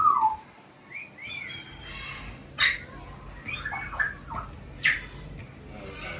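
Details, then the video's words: Parrots in the parrot section of Loro Parque, Tenerife, giving harsh squawks and rising whistled calls in bursts, with loud broadband screeches near the middle and end over a low background murmur. "Parrots (papoušci)"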